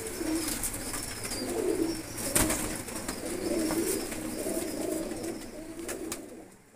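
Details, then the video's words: Pigeons of blue colouring kept for the sport of pigeon flying, ready for release, utter murmuring low coos in overlapping bouts, with a sharp knock midway and steady hiss. "نیلے رنگ والے کبوتر بازی میں اڑنے کے لیے تیار"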